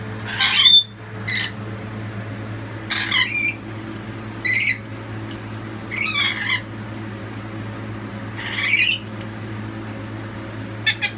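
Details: Lorikeets give harsh, screechy squawks in short bursts every second or two over a steady low hum, as a family loudly supports their youngest chick, which has just left the nestbox.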